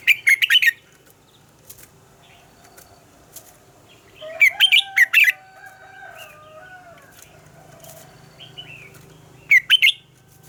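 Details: Red-whiskered bulbul morning song in a mature wild 'double-note' style, recorded as a training and decoy voice; three loud bursts of rapid warbled, bubbly notes, each under a second, separated by quieter twittering and faint background chirps.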